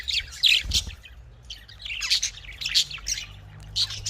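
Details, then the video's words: Australian parrots, or budgerigars, make a burst of loud squeaky chirps, a short pause, then renewed bubbly warbling and chirping to the end. "Australian parrot voice|Australian parrot ki awaz"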